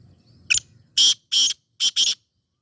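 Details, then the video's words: Black francolin from Sindh calling: a short harsh note, a pause, two longer rasping notes, then a quick final pair, all dry, grating and high-pitched against a quiet background. "سندھی کالے تیتر کی مکس آوازیں"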